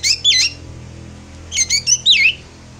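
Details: Emotional chatter of a Javan black drongo, used as a lure for moulting birds: two grating, wavering notes, a silence, then a quick run of four rasping, swooping squawks over faint background hum.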